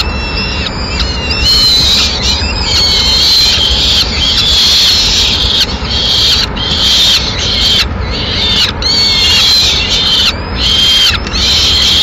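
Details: Peregrine falcon nest in Madrid while the male feeds a captured swift to the chicks, who are later left eating on their own. Near-continuous rasping screeches run with only brief gaps, over low background noise.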